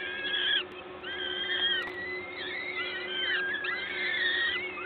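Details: Peregrine falcons, Gdańsk LOTOS nest, Poland, 14 May 2022 at 11:07, an adult feeding: stretched, level then sliding whining calls, mostly overlapping, with a continuous low mechanical hum underneath.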